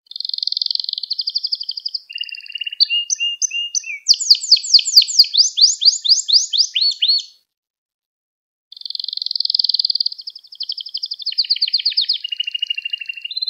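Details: Canary song for training young canaries: a steady rapid trill, low rolling notes, then loud repeated descending sweeps, a short silence, and another long even trill shifting to a lower rolling section.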